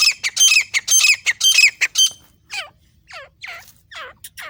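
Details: Grey francolin in Pakistan, calling with a dog. Harsh, rasping squawks come in quick succession, then give way to several softer notes that sweep downward with a wavering quality.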